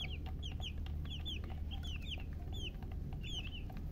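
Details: Baby chickens chirping: several high, downward-sliding peeps overlap in quick irregular bursts, with a steady low hum underneath.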